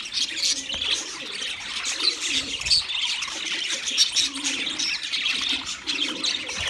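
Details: Wild budgerigars chirping as a flock: dense, continuous high twittering and warbling chatter with many overlapping birds, and a soft low cooing in the background.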